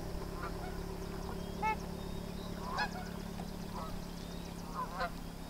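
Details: Sandhill cranes, a colt with its parents, at Sherburne Wildlife Drive: short, clear, ringing calls with rich overtones, given about once a second in a loose series, over a steady low hum and rumbling background noise.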